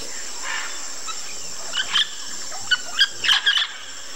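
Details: Three blue-and-yellow macaws at the Chuncho macaw claylick on the Tambopata River, Peru, give short, harsh, grating squawks in quick irregular bursts over a steady high insect drone.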